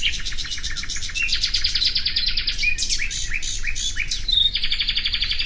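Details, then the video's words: A nightingale sings fast repeated notes in long even trills, broken by brief upslurred whistles and a buzzy series near the end, with constant low rumble behind. "Bülbül sesi"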